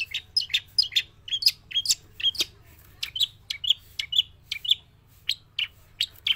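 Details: Long-tailed shrike from Java, a trained cage bird singing non-stop inside and outside its cage: a lively stream of sharp, high chirps and twitters in quick succession, with a faint steady low hum behind.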